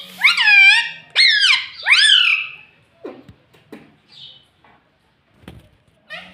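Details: Indoor talking parrot repeating "mummy papa": three loud, harmonic, bending syllables in quick succession, then soft clicks and scrapes and a final short squeaky note.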